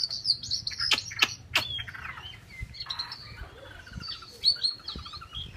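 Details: Chinese hwamei producing sharp, snapping click notes mixed with high whistles and rough, buzzy phrases, in a busy, varied song passage.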